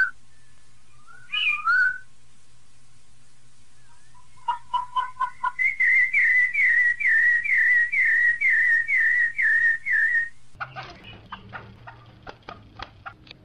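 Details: Rufous-bellied thrush singing the Piedade Senhor song alongside female calls; a whistled phrase, then a long run of about fifteen evenly repeated clear notes, ending in a clattering noisy passage.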